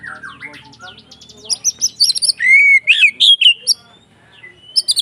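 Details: White-rumped shama giving a fighting song to provoke other shamas: soft quick notes at first, then loud clear slurred whistles and bright repeated notes, ending after a short quiet pause with more chirps.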